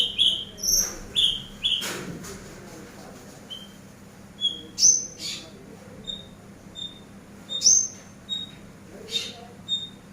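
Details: Eurasian tree sparrow master song for training: clusters of loud, bright chirps open the recording, followed by a spaced series of short high piping notes broken by occasional sharper, rising chips.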